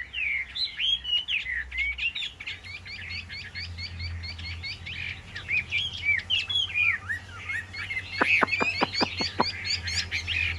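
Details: Caged Chinese hwamei pouring out a dense, busy song of rapid chattering whistles and slurred notes. Near the end, a quick series of sharp clicks is heard, with a low hum in the background.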